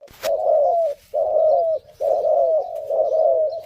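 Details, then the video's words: A spotted dove gives its call: four low, husky cooing phrases, each nearly a second long, separated by brief pauses; nothing else stands out. "This is a spotted dove. Here's what its call sounds like."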